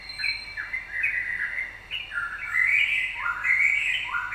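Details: Yellow-vented bulbul song used as a lure (pancingan) to provoke other birds into singing: a lively, continuous run of bubbly, chattering warbled phrases that rise and fall, with a faint steady high-pitched hum behind.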